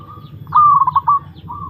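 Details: Perkutut (zebra dove), a long-kept bird being mentally tested. One loud song phrase, a sustained clear note dissolving into quick bubbling pulses. A faint coo trails after it, over a low hum.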